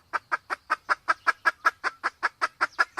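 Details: Male and female Sumatran red junglefowl, the female in heat: an even, fast run of sixteen short clucks, roughly three each second.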